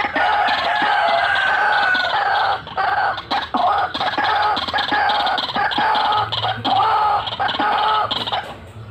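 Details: White-breasted waterhen lure call in "ngekek ngeroll" style. A dense, harsh, nasal cackling stays loud throughout, broken by a few brief dips near the middle.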